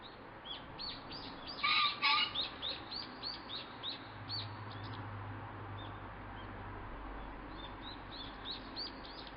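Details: In Japan, a male green pheasant that appears at the same time every morning gives a loud, harsh double crow, followed by a rapid run of thin, high chirps and a low background rumble.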